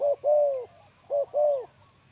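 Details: Ground-decoy male spotted dove: two clear phrases, each a quick short coo followed by a longer smooth one, in a quiet setting with a faint low hum.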